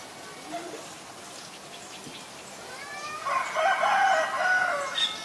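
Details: Common myna at Ubon Ratchathani, Thailand, February 28, 2022, filmed with a Nikon P1000: after quiet background, a loud run of rich, harmonic, slightly nasal notes builds in the final two seconds.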